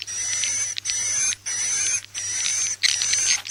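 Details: Swiftlet call played to attract birds to nest houses: buzzy high notes about a second long, each carrying a thin steady whistle, repeated with brief gaps roughly every 0.7 seconds.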